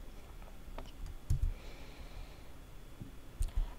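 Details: A few soft clicks and knocks sound over quiet background hiss indoors, with no animal calls.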